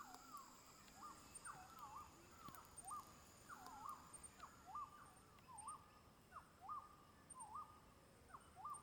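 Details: King bird-of-paradise, locally called Gobi-gobi, at Badi Gaki Birds Sanctuary: a series of short curling, looping notes near one kilohertz, repeated roughly every half second over a steady high insect drone, with other faint birds.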